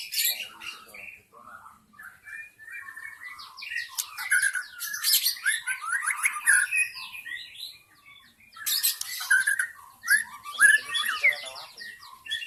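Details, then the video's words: Wild white-rumped shama from the forest, used to lure other shamas, pours out varied whistled phrases, fast chattering trills and squeaky notes in two long bursts separated by a short quiet gap. "SUARA PIKAT MURAI BATU ASLI HUTAN"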